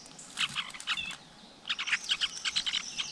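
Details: Flowerpecker nest with young, close-up in the wild; two bursts of sharp, high twittering chirps repeated several times a second, separated by a brief quiet pause, over faint background hiss.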